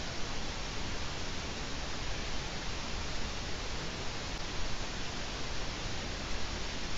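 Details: Steady broadband hiss like static fills the recording from an eagle-owl nest webcam in Latvia on 4 March 2018, with no animal calls heard.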